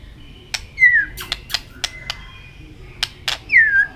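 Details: Sparse white-rumped shama contest song, tail flicking: a few loud descending whistled slurs separated by sharp clicks and quiet gaps.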